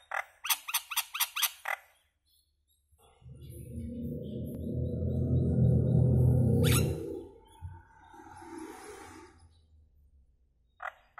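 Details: Common myna song opening with a quick burst of sharp clicking notes, followed by a long, deep, bubbling gurgle that swells and fades, a sudden harsh squawk, and a final sharp note.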